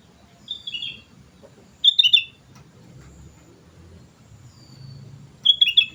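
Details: Actively singing sooty-headed bulbul: three brief, clear, liquid whistled phrases of several quick notes each, spaced irregularly, over quiet low rumbling background.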